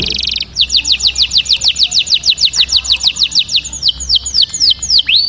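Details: Canary song, a fast trill of high sweeping notes repeated about three times a second, opening with a buzzy rattle and slowing into wider swooping whistles toward the end, over a steady low background hum.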